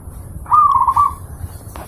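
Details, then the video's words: Zebra dove song meant to train pet birds: a single clear cooing phrase, a rising start then several quick rolling coos, followed by silence. "Masteran burung perkutut,sangat jernih dan gacor"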